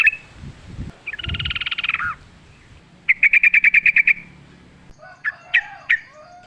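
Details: Wild-style yellow-vented bulbul song in natural ambience: a dense buzzy rattle, then a clear run of about ten evenly spaced notes, ending in a few sharp chirps with faint low thuds.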